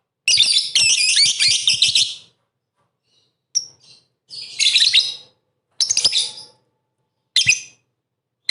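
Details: Lovebird chattering in a track meant to provoke rival lovebirds into singing: dense, rapid, high-pitched squeaky twittering bursts, one long two-second run and then shorter bursts every second or so, with clean silence between them.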